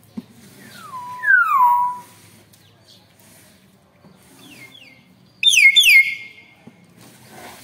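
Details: Young Nias hill myna, described as loud and noisy, giving clear whistled calls. Two notes slide down from high to lower pitch. After a pause comes a sharp burst of several rapid falling notes, higher and brighter.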